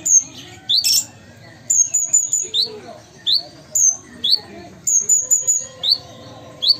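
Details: Captive ruby-cheeked sunbird from Sumatra singing busily: sharp high whistles and upward-sweeping notes in quick bursts, with a brief harsh scratchy note near the start and a faint low hum beneath.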